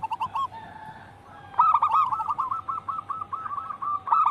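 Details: Local wild-type zebra dove in full song, used as a lure: faint notes, a lull, then a loud, steady stream of rapid rolling coo notes running to the end.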